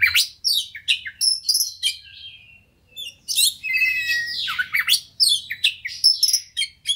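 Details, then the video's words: Fighter kacer (Oriental magpie-robin) singing persistently as a lure to coax others into full song: bursts of harsh chatter and varied whistled phrases separated by short pauses, with a faint low hum. "KACER NGOTOT PANCINGAN KACER CEPAT FIGHTER BONGKAR ISIAN"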